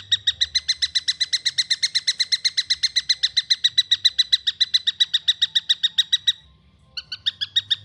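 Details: Juvenile long-tailed shrike producing quick, evenly repeated buzzy chirps, about four per second, then falling silent briefly before a few more notes.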